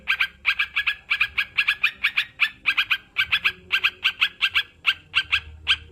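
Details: Sooty-headed bulbul recording meant to prompt kept birds into singing: rapid bubbly chattering notes repeated in pairs and triplets, several per second, steady throughout with a faint low hum underneath.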